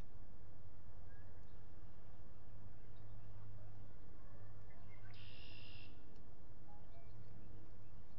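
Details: Osprey at a Salt Point nest with its mate, evening of 19 April 2021, seen by nest camera in the courting season; a single strong whistled call of under a second rises above constant low rumbling background noise.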